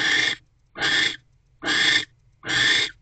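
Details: Barn owl pair mating in a nest box in the evening of December 25, 2023, the female holding a rodent in her beak; four loud, rasping, hiss-like screeches, each about a third of a second, evenly spaced.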